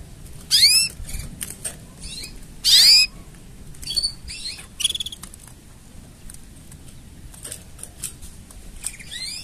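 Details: Canary singing with mating sounds: loud high bursts of sweeping whistles at the start, then softer chirped notes and a short rapid rattle, ending with a brief curved whistle.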